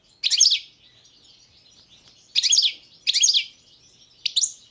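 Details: European goldfinch of the Balkan subspecies carduelis balcanica, entered in the 2022 World Championship in Goldfinch Song held over the internet: four short, bright twittering bursts at about two-second gaps, with quiet pauses between.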